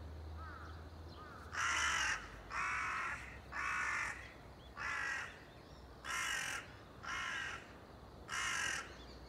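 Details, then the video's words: Series of eight hoarse crow caws, each about half a second long and spaced about one second apart, varying slightly in loudness, with a low hum at the start; recorded 30 September 2020. "crow ,カラス,까마귀"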